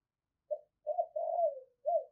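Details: Decoy spotted dove giving a soft coo phrase: a short note, a pause, then joined mellow coos rising into a long drawn note and a final short coo.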